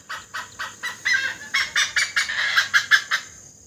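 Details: A great hornbill in Assam, India, gives about a dozen loud, harsh, honking barks in quick succession, roughly four a second, over a steady high insect hiss.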